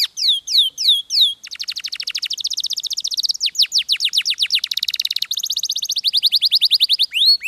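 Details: A domestic posture canary sings several loud falling slurs, then moves into long rolling trills. The trills shift in speed and pitch from phrase to phrase, all high and clear.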